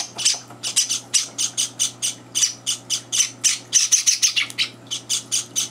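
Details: Begging Java sparrow chicks at morning feeding, older birds intruding; a dense run of shrill, high squeaky chirps in irregular quick succession, with no other clear sounds.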